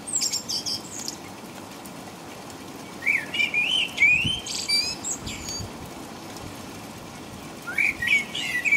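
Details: Night song of a common blackbird in rain, England, around five in the morning: two separate fluting, warbling phrases, each closing in high squeaks, with a long rain-filled pause between them.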